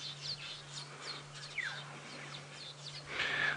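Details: A Village Weaver colony busily building nests near Djuma Game Reserve on a late-afternoon safari drive on 31 January 2017 chatters: quick high chirps, buzzy notes and short down-slurred whistles over a steady low engine hum.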